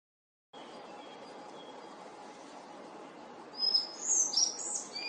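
A collared flycatcher gives a brief burst of high, squeaky notes in the last second and a half, over a steady hiss and a low hum.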